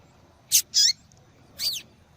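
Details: Calling female yellow-bellied seedeater: a sharp high chirp, then a twisting, slurred note sweeping down, a pause, and a longer looping whistled call with rising and falling inflections.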